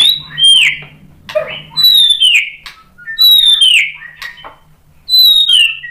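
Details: White-rumped shama singing to provoke other shamas into answering: clear, high whistles that slide downward, repeated four times about every one and a half seconds, with scattered softer notes and a faint low hum between.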